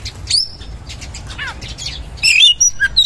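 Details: Oriental magpie-robin singing a varied, rapid song of chirps, downward-sweeping twitters and sharp whistled notes, growing louder and denser toward the end over a faint low hum.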